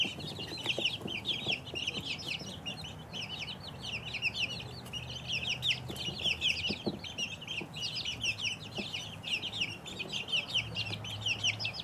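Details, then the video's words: A group of two-week-old chicken chicks producing a dense, steady stream of shrill, quavering peeps, many birds calling at once, with a low hum in the background. "2 week old chicks"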